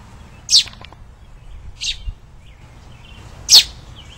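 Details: Two nestling robins found on the ground in spring after tree trimming, being hand-fed in a remounted nest: three brief high squeaky calls spaced over a few seconds, with low background rumble and a person speaking softly.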